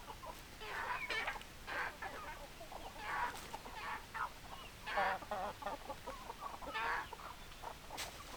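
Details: Chickens, with hens and roosters present, in a busy chorus of overlapping short, harmonic clucks and squawky notes from several birds, bursting irregularly about every second or two against a steady background hiss.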